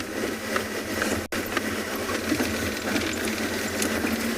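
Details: A vehicle engine idles steadily with broad rumbling noise and a brief dropout near the start. There are no animal calls, only mechanical sound throughout.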